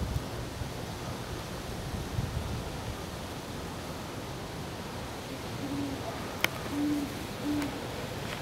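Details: Great horned owls at night on December 25, 2012, just after a pair mated for the second time that night. A few short, low hoots come near the end, soft against a steady hiss, with one sharp click.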